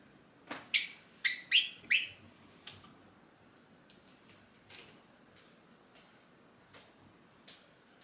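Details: Caged tame Java sparrow calling out as its owner stands to leave: four loud descending chirps in quick succession, then scattered soft clicks and faint ticking notes in a quiet indoor room.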